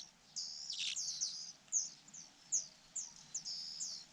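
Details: Fujian niltava young being fed by the mother bird: a quick run of high, sharp, squeaky chirps, some falling in pitch, coming in short bursts.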